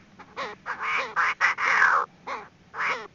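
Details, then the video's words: Chinese francolin hen calling to lure birds into a trap, loud harsh cackling phrases with wavering nasal tone, one long grating note in the middle and short notes after. "tiếng chim đa đa(gà gô) mái mồi"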